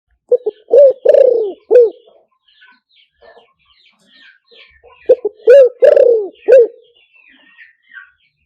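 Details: Spotted dove luring call for playing through a speaker: two cooing phrases, each of short clipped notes, a loud rising coo, a long drawn falling coo and a final short coo, with faint chirps between phrases.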